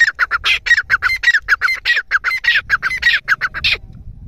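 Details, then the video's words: Grey francolin calling in a fast, steady run of loud, grating notes, roughly four or five per second, which ends abruptly after nearly four seconds. "teetar sound | teetar ke awaz"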